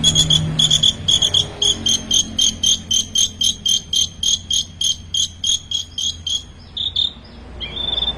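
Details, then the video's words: Long-tailed shrike singing a full song copied from ten small bird species: a steady, rapid run of sharp, high pulsed notes, about four per second, ending in a drawn-out buzzy note. "Suara burung Cendet full isian"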